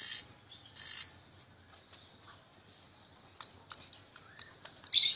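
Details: Myna in active song, a tutor for birds like Anis Merah and Branjangan: two harsh buzzy bursts, a long faint thin tone, then a quick run of sharp clicking chips.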